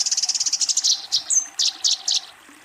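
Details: Eurasian tree sparrow fighting and calling a rival: a quick string of high chirps, a thin whistled note, then a few separate louder chirps that slow and fade out.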